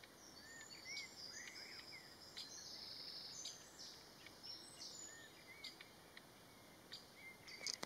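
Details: Bluethroat at Platwijers, Zonhoven, on 14 June 2020, giving quiet, scattered high chirps and short whistled notes, some rising, over a steady faint background hiss.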